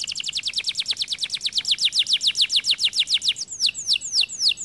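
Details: Canary song: a long rapid chattering trill of high notes, changing into a slower run of sweeping downslurred whistles near the end.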